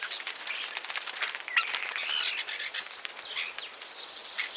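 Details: Chattering Common Starling song recorded in Central Russia: crackling clicks mixed with high squeals and brief whistles, steady throughout.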